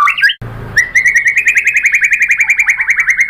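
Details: White-rumped shama song used to provoke rival singing: a few quick chattering notes, a short break, then a long, rapid, pulsing whistled trill at a steady pitch.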